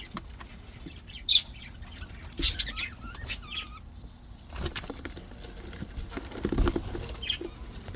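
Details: Happy budgerigars twitter with bright clicks and short whistled, wavering notes, then soft rustling and scattered faint chirps later on.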